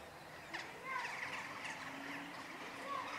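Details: Western jackdaws in courtship at a church in Nexon, France, 16 March at 18:20: short clipped 'chak' calls, several in quick succession over about three seconds, faint outdoor hum.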